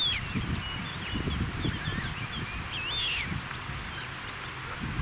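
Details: Young Eurasian coots being fed at Eich, Altrhein: many thin, high squeaky peeps, rising and falling and often overlapping, over steady low rumbling background noise.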